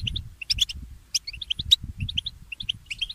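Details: Early-morning song of a goldfinch mule (goldfinch hybrid): scattered sharp high chirps and brief clicking bursts, strung in loose irregular phrases over faint low knocking sounds.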